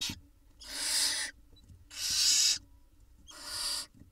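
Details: Barn owl nestlings in an Israeli nest box on camera, 5 June 2021, hatched 17 May, begging as the female brings a mouse that one chick swallows fast; three long rasping hisses, each under a second, separated by short pauses.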